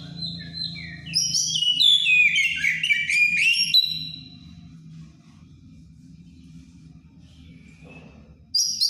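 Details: Songbird over-aroused for breeding, delivering an open ngeplong phrase: about three seconds of dense, tumbling whistles and chirps that slide downward, then near silence with a low hum before a short burst at the end.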